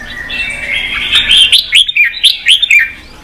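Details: Red-whiskered bulbul song, used to excite newly caught birds into fighting and full voice; a sustained warbling opening, then a string of five or six quick upslurred whistled notes evenly spaced.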